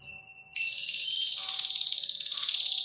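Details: Canary song intended to trigger other canaries to sing: a few faint whistles, then an abrupt dense high trill of rapid chirps continuing without pause.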